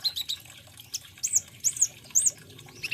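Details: Olive-backed sunbird sounding thin, high arched notes, three or four spaced evenly, preceded by softer quick chips.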